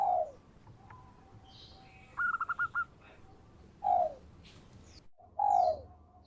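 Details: Local zebra dove, a lively singer used as a lure for trapping birds: short falling coos near the start and end, with a quick burst of five rapid notes in between, over faint background hiss.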